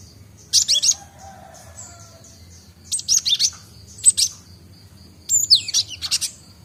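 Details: Young great tit, known locally as Gelatik Batu, practising its song and newly able to do ngombyok: four separate bursts of very high, tangled, twittering notes with short pauses between, over a faint low hum.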